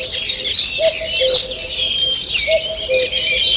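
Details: Morning birdsong in a forest on 2 June 2023: a dense chorus of high, overlapping chirps and twittering whistles, with a low two-note hoot repeating beneath it twice within the clip.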